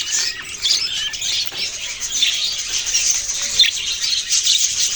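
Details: Budgerigars chirp in a crowded, constant twitter of high, raspy notes and short squeaks from several birds, with no pauses throughout.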